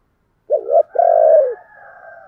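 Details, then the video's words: Decoy spotted dove calling to draw in wild doves, giving a short double coo followed by a long, rolling, slightly descending coo that fades into a steady low hum. "Chim Cu Mồi Thúc và gáy gọi"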